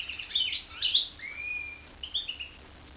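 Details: Goldfinch × canary hybrid giving a quick twittering burst followed by a long, smooth, rising whistle and a few softer whistled notes.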